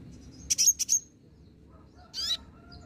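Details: Green-plumaged olive-backed sunbird in a lure recording meant to draw replies: a quick burst of four high, piercing chirps, then a pause and a brief descending buzzy note.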